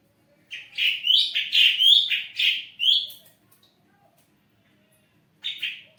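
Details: Caged ashy drongo singing actively to prompt other birds: a flowing two-and-a-half-second warble of rising and falling slurred whistles, then silence and the start of another phrase.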